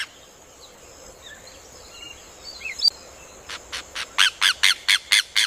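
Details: Rufous hornero song beginning after three quiet seconds of faint distant bird twitters, then a run of ringing repeated notes that swells rapidly in loudness.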